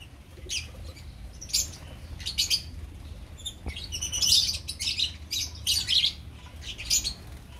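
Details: Several opaline lovebirds in a colony keep up shrill, rasping chirps and squeaky notes, with overlapping calls growing busier in the second half.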